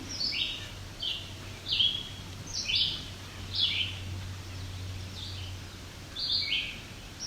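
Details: A talkative Red-eyed Vireo, getting louder, sings on rocky alvar near Cape Chin North, Bruce Peninsula, Ontario, on 17 July 2019 in hot summer. Short, slurred, whistled phrases come about one a second with brief pauses, over a low steady hum.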